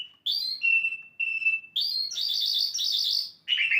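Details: An Asian lark sings a rapid, varied run of high, clear whistled notes that break into buzzy, trilled phrases; the notes are bright and sustained, with no other sounds intruding.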